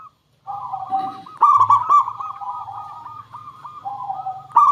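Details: Lure song of a local zebra dove meant to set other doves calling; after a short silence, steady rolling coos rise into a loud stuttering cluster, then run on in a long, wavering coo with another burst closing it.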